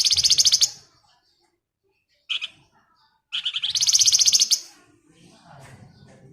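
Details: Calling female flamboyan, ngebren style: a rapid buzzy pulsed trill, a short isolated note, then a longer rattling trill that fades out, with faint background murmur afterwards.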